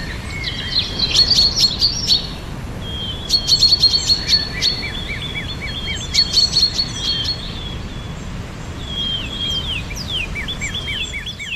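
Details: Birds singing on a spring morning: repeated phrases of rapid high chirps, each followed by a run of lower descending whistles, about every two to three seconds, with a soft hiss behind.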